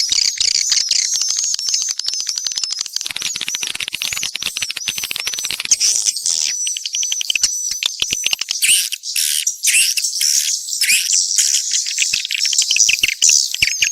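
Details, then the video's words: Swiftlets in a mixed chorus, fast crackling clicks and shrill twittering chirps crowding together, thinning into separate buzzy bursts toward the end. "Sp burung walet campuran"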